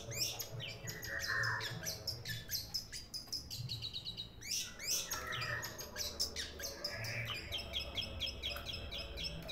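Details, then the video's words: Long-tailed shrike calling loudly when people come to the house, with a voice likened to an Asian pied starling's. Dense bursts of harsh, scratchy notes mixed with high chirps, then a brief lull and another rapid outburst. "BURUNG CENDET GACOR JADI SATPAM RUMAH, ADA ORANG DATANG LANGSUNG BUNYI"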